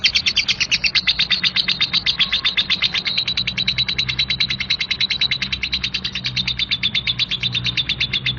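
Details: Nonstop scratchy lovebird chatter of the 'ngekek kasar' kind, with quick, harsh high notes tumbling one after another for over eight seconds above a low background drone.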